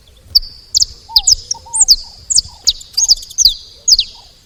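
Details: Feeder recording of saffron finch: spaced high, bright chirps sliding downward, roughly two per second, over a thin steady high tone. A few lower curved whistles sound early on.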